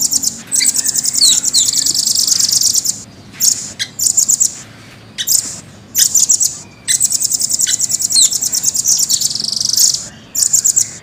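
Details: Caged velvet-fronted nuthatch, red-billed with blue-grey upperparts, singing vigorously in long rolling bursts: very high, rapid, tightly packed trills broken by brief pauses and sharp chips.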